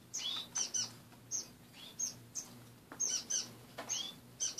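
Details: Caged pet finches in the morning, cage mostly bare after cleaning: short high chirps and peeps in quick bursts, several birds overlapping, with a faint low hum underneath.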